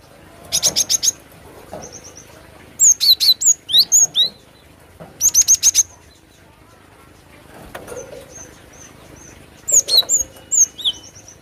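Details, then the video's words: Actively singing cinereous tit (glatik batu): clusters of thin, high, falling whistles in fast groups of four to six, mixed with brief broadband fluttering bursts and softer twittering notes between groups. "SUARA ASLI BURUNG GLATIK BATU"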